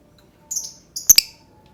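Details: Lovebird chirping, used to prompt other lovebirds to sing: a few short high squeaky chirps, then a sharp double chirp near the end, in a quiet room.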